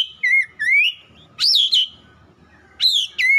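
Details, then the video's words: Oriental magpie-robin delivering rich, loud whistles that rise and fall in pitch, grouped in short phrases with brief gaps. "TERAPI TERAMPUH KACER CEPAT NGOTOT"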